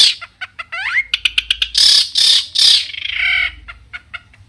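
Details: Long-tailed shrike in energetic, richly varied song meant to provoke other shrikes into answering: a rising whistled glide, then sharp ticking notes and harsh, buzzy bursts, ending in scattered short clicks.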